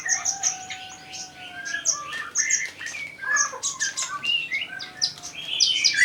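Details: Kolibri ninja (sunbird) in full, vigorous song: a busy jumble of sharp high chirps, squeaky trills and clicks. A thin, steady whistle-like tone runs beneath the first two seconds.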